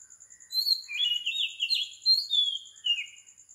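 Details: Oriental magpie-robin at 4 am on a tropical Sri Lankan island, a warbling whistled phrase with fast trills followed by falling clear notes, high pulsing insect sound behind.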